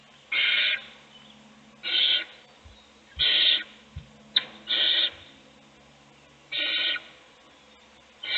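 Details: Owl nest box at feeding time, an adult bringing food to a chick as its nestmates sleep; loud breathy hissing bursts about half a second long, spaced roughly every one to one and a half seconds, with faint low thumps.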